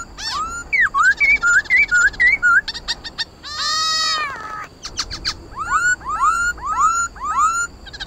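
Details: Combative 'hót đấu' song of a khướu mun laughingthrush, meant to rouse caged birds: rapid zigzag whistled notes, a rasping burst near the middle, then upslurred whistles repeated about once a second.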